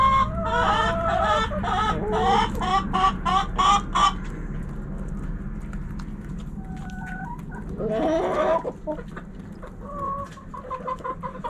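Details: Backyard chickens: rapid loud clucking and cackling for four seconds, a quieter stretch, then a rooster's harsh crow rising and falling near the eighth second, followed by scattered clucks.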